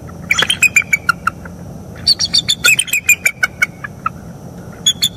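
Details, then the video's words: Wild mated pair of bald eagles at a northeast Florida nest, on a live nest camera, on the morning of 25 October 2021, calling while mating. Rapid, high, staccato chirps and squeaky chitters come in quick bursts, with short pauses between runs. "Bald eagles; morning mating and vocals"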